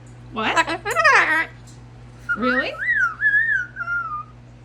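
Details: Pet female cockatoo talking at night, excited, saying a short word-like phrase and then giving a whistled, wavering tone that rises and falls, indoors in a small room with a low steady hum.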